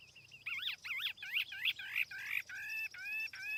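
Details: A tiểu mi laughingthrush sings as a lure bird: bold, looping whistled phrases, each repeated about every half second, ending in short level whistles over a steady low hiss.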